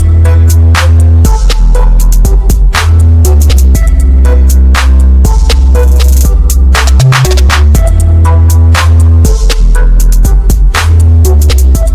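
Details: Loud electronic music with heavy bass and pounding drum beats, and no animal sounds.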